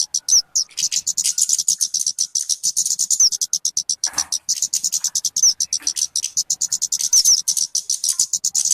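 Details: {'caption': 'Luring call of the talokan (kemade): a long, rapid high-pitched chatter with several short upslurred whistles scattered through it and a brief lower rustle partway.'}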